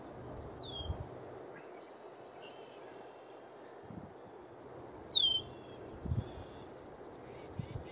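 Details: Male yellow-headed blackbird perched on cattails in southwestern Montana giving two sharp, high, downward-sweeping notes about four seconds apart, over steady wind-like hiss and a few low thumps.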